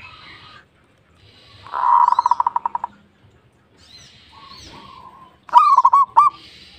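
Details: Local zebra dove in good singing form: a rapid stutter of soft pulsed notes, then a bubbling coo with quick trills, while faint high chirps of other birds come and go.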